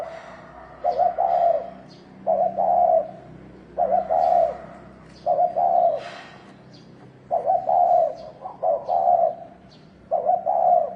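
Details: Spotted dove, wild field type, cooing to rouse males to fight: throaty, rolling coo phrases in tight clusters of two to three notes, repeated roughly every one and a half seconds, with faint ticking chirps from other birds.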